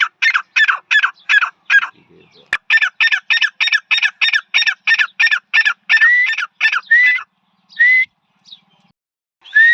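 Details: A male grey francolin calls: a fast run of loud, harsh, ringing notes, about three per second, slowing into a few longer rising whistled notes.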